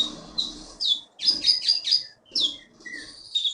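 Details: Caged champion olive-backed sunbird, taken from forest on Bangka, Indonesia, pours out quick slurred high chirps and twittering phrases, with brief pauses between bursts.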